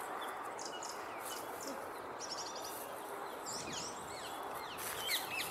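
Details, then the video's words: A Song thrush sings bright, varied phrases with a quick run of repeated notes and sharp whistled sweeps from a tree by the Speke obelisk, over a steady rush of wind or distant traffic. "Song Thrush"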